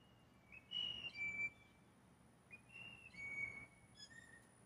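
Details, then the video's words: Blue jay mating calls as several birds compete for one female: two similar phrases of clear, rising-then-level flute-like whistles about two seconds apart, the second ending in short higher notes. "Listen To The Blue Jay's Mating Call"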